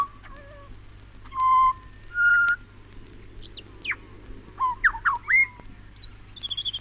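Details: Pied butcherbird from Australia: two strong, pure whistled notes, then rapid swooping and looping notes and short sharp chirps near the end. A gentle low hum continues in the background.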